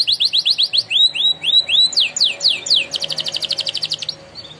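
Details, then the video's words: Canary, a singing contest winner, singing training song: rapid series of high swooping whistled notes, then a fast even trill of short repeated notes, about four per second, ending softly. "The Winner Canary Singing Contest | Named "NAPOLEON BONAPARTE" - canary training song"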